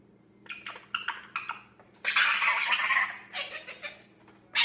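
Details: Pet male Indian ringneck parakeet, 10 months old and just beginning to talk, playing alone indoors: a series of short clipped syllables, then longer harsh, buzzy bursts of mumbled chatter, ending with a sharp squawk.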